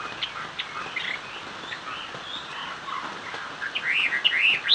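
Chinese hwamei song: soft, scattered chirps give way to a loud burst of rich, rising and falling whistled phrases near the end.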